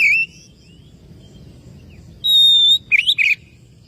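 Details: Oriental magpie-robin calling a rival: a brief slurred whistle at the start, a long pause, then a steady pure whistle followed by two quick twisting warbled notes.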